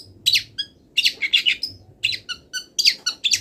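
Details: A long-tailed shrike that has not finished moulting delivers wild-bird mimicry in rapid sequence: scratchy, harsh chirps and higher squeaks grouped in quick clusters with barely any gaps, faint low droning underneath.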